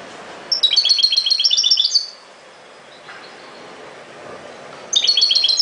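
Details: European goldfinch singing in the ghoroub style: a rapid, tinkling run of high twittering notes for about a second and a half, a quiet pause with faint background hiss, then the bright twitter starts again.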